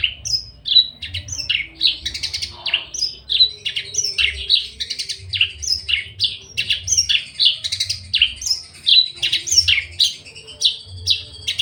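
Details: Javan bush lark ready to mate, quivering its wings, crest raised and aggressive: a long, lively sequence of high chirps and steeply falling whistled notes, quick and uneven, with a soft low hum behind.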